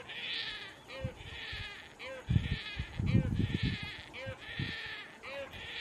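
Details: Juvenile painted stork with its mother gives nagging, nasal, bleating begging calls about once a second over low thumps and rumbling background noise.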